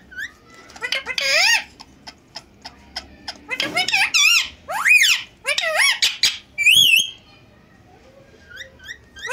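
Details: Pet Indian green ringneck parakeets, a talking pair, speak face to face in Urdu and Hindi. Bursts of loud, high, wavering, speech-like phrases with sliding warbles break up short pauses in a quiet indoor room.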